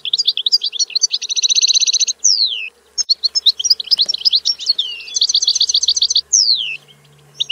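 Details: European goldfinch singing a fast, continuous twittering song with rapid trills of repeated notes, two clear descending slurred whistles, and lively chattering phrases throughout; a faint low hum in the background.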